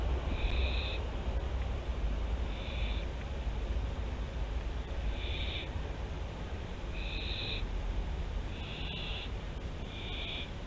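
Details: At Théding in France on 24 September 2021, a barn owl family's nest camera picks up six harsh hissing screeches, roughly one to two seconds apart, beneath a persistent low hum.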